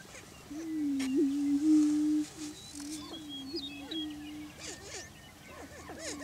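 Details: Greater prairie chickens displaying for breeding territory on a Washington County, Kansas lek. Two long, low hooting drones with a small pitch blip, then scattered rising whoops and cackles toward the end.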